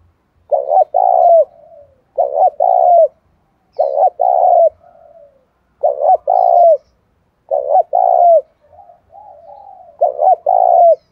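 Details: Spotted dove, local 'giọng thổ' voice, urged into fighting mood during the rainy seventh month: six throaty coo phrases roughly every two seconds, each a clipped double note and a longer coo, some followed by soft fading murmurs.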